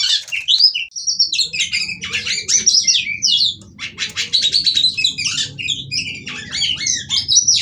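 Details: Female white-rumped shama kept as a caged bird, singing to stimulate other shamas: rapid varied phrases of high whistles, buzzy trills and chattering notes in dense bursts, with a steady low hum beneath.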